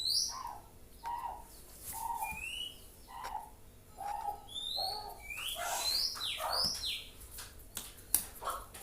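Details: Young white-rumped shama learning to sing: soft, low whistled notes repeated about once a second, mixed with higher upslurred whistles and scratchy bursts, over a constant low hum.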